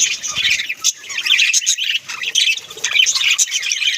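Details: Budgerigar parrots kept at home squawk and chirp busily, rapid high squeaky notes and warbling chatter from several birds at once.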